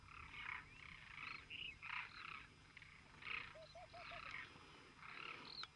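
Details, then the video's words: Demoiselle crane flock giving rough, grating calls in overlapping bursts, with one clearer rising note near the start and a short series of four soft, evenly spaced lower notes midway. "Flock of Demoiselle crane (Anthropoides virgo)"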